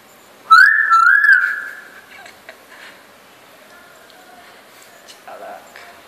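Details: A talkative pet common hill myna, about 3.5 years old, male, in Chittagong, Bangladesh, 5 August 2014, gives a loud, human-like whistled phrase lasting about a second, followed by softer warbles and a short nasal note in a quiet room.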